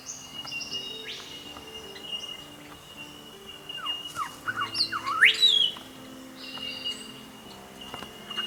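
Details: Immature grey shrike-thrush, sex undetermined, with rufous supercilium: scattered faint whistles, then near the middle a quick run of rising notes ending in a loud, steeply upslurred whistle, over a steady background hum.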